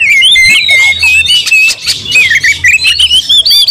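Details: Oriental magpie-robin in a sudden aggressive outburst that makes other magpie-robins angry too. Dense run of high, wavering whistles over rapid scratchy chips, delivered almost without a break.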